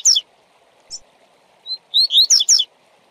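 Double-collared seedeater giving a quick tui-tui phrase: sharp, high whistled notes sweeping down, then a fast run of bright paired notes, over a steady low hum.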